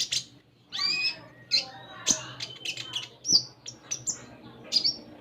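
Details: Untrained captive common iora giving high, thin chirps and short clear whistles, some rising and some falling, in a broken sequence with gaps between bursts and a steady low hum underneath.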